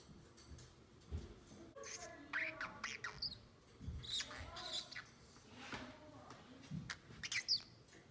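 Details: Pico, a 7-month-old male Pacific parrotlet, gives scattered short, high chirps and squeaky chatter in irregular bursts, with soft rustling and low room noise between.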